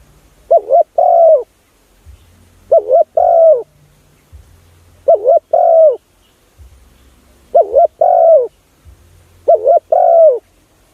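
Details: Cooing of a spotted dove, used as a lure for other doves: five regular phrases about two seconds apart, each a short wavering double coo followed by a drawn-out descending note, quiet low hum between.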